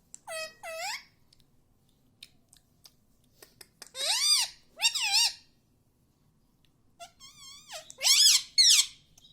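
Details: Talking pet parrot saying Hindi words such as mummy and papa, in three bursts of nasal, harsh speech-like phrases with bending pitch, separated by quiet stretches with faint taps.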